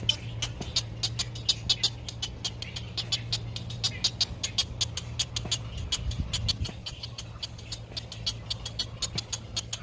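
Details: Baby great egret at the nest in sunshine, waiting for food from its mother: fast, dry ticking clicks repeated several times a second, steady throughout, over a low constant hum.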